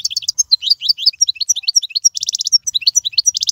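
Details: Continuous fast, high-pitched goldfinch song, used to tutor young birds: tumbling liquid twitters and chirps with two short buzzy rattling trills breaking the flow near the middle and end.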